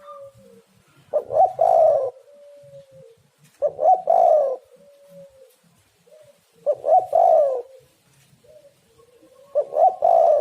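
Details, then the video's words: Spotted dove, or tekukur, cooing to lure other doves into calling: a phrase of soft lead-in notes and a loud rolling double coo, repeated about every three seconds, four phrases in all. "tekukur super gacor suara prangsang untuk burung"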